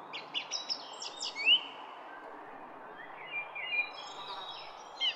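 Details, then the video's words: Songbird in a garden: a quick cluster of high chirps and one loud rising whistle, then softer, scattered twitters and thin whistled notes over background hiss. "GARDEN BIRD SONG"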